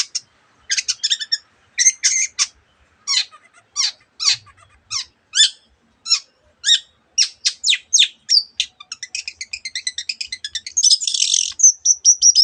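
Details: Long-tailed shrike in full song with many other birds' sounds imitated: clipped chattering bursts, then an accelerating string of sharp ticking notes, a harsh rasp and a closing whistle.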